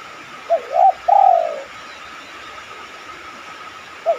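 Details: Soft low cooing of a spotted dove, meant to prompt other doves into cooing: two quick notes followed by a longer descending coo, then silence and the start of another phrase, over faint hum.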